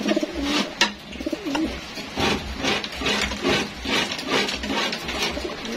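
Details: Racing homing pigeons at feeding time in a loft, cooing with low wavering notes near the start, followed by repeated broadband rustles and pecking sounds from the flock.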